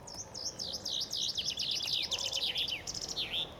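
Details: In spring on the bank of the Ob River near Novosibirsk, Siberia, where several chaffinches were singing, a common chaffinch sings one bright three-second phrase: quick descending notes speeding into a rattling run and ending in a flourish, with faint hiss.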